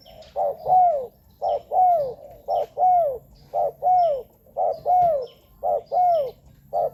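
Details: Spotted dove call meant to lure wild birds; a long, very regular series of paired coos, a short note then a longer downward-curving one, repeating roughly once a second, six times over.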